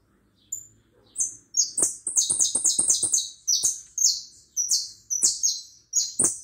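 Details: Hooded siskin song: rapid bursts of high, buzzy twittered notes, sliding and chattering in quick succession after a faint opening note, with a couple of sharp clicks between phrases.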